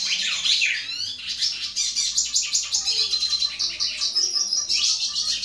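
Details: A goldfinch sings to a female Belgian canary, giving a fast, continuous run of high twitters, chirps and thin trills, with brief rising sweeps and no pauses.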